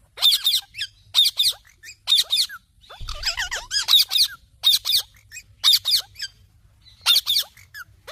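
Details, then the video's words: Indian ringneck parakeet screeching in a steady run of harsh, high-pitched squawks, roughly one burst per second, with a brief chattering, warbled passage in the middle; faint low rumble behind. "Parrot Talking Natural Sounds"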